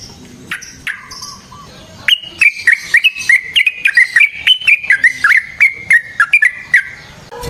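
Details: Sooty-headed bulbul in lively chattering, rolling fighting song, used as a lure for other bulbuls: a few soft notes, then a long, lively run of whistled chirps rising and falling.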